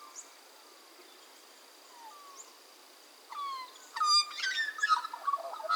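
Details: Australian magpies at Minimay Conservation Reserve, Australia, recorded in January: faint scattered whistles, then loud rich warbling carols with stacked, fluting tones building over the last two seconds, over a steady thin high insect hum.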